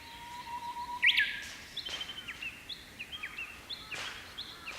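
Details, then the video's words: Japanese bush warbler on a silver grass plume on a May morning: a low drawn-out whistle followed by a loud rising warbled phrase, then other birds' repeated short chirps fill the rest. "ウグイス 鳴き声"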